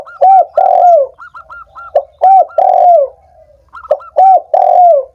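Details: Spotted dove cooing, used to prompt reluctant doves into calling: repeated low three-part phrases of a short note, a rounded coo and a long sliding coo, interleaved with quick higher chirping notes.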